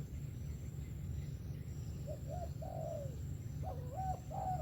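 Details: Soft cooing of a 'sấm thổ' spotted dove: two short notes and a long descending croo, then a louder, overlapping run of bent coos near the end, heard over steady low-pitched background noise.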